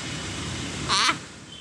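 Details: A pet Indian macaw named Max, kept in Rajahmundry, Andhra Pradesh, gives one brief, harsh, raspy squawk about a quarter-second long over a steady indoor hum while its owner coaxes it to say hello and asks if it is hungry.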